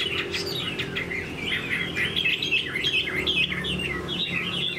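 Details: Chinese hwamei kept tame in a cage gives a busy, jumbled warbling song of quick whistled slurs and chirps, with a low hum in the background.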